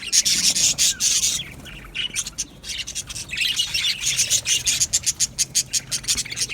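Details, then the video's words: Budgerigar colony chirping in an aviary: loud, shrill warbling chatter with thin whistled notes, a short lull, then renewed chatter ending in a string of rapid, clipped chirps. "Budgies birds chirping sounds"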